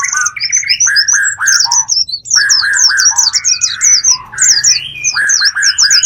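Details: Bird lure to attract wild birds: harsh squawking notes with a rapid chatter of high, falling chirps above, busy and continuous, over a low hum.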